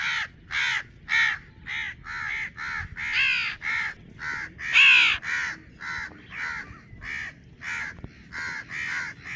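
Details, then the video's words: A young crow gives harsh, raspy caws about twice a second, a few longer and louder, while its parents call noisily nearby. "Baby Crow bird sound while their parents making hell of noise out there"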